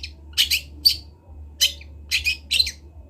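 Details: Local long-tailed shrike from Kendal, a young bird practising its song, gives a few separated rasping, buzzy bursts within three seconds over a steady low hum.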